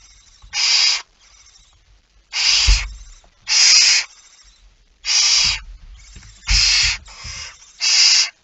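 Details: Barn owl at the nest during feeding, 19 September 2019 at 05:28: seven harsh, broad hissing screeches, each about half a second long, separated by short gaps, with faint low thumps beneath.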